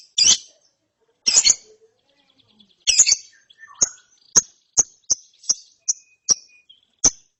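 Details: Ngeriwik twitter of a young lovebird after therapy: three rasping high chirps, then a quickening series of about ten short, sharp tics, with faint background twitters.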